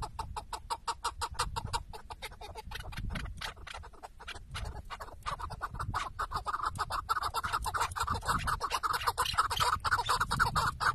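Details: Tethered decoy chukar partridge at a hunt in Şırnak, Turkey, giving fast, hoarse chuck notes in long runs that swell into a louder, fuller chattering burst, with a steady low background rumble.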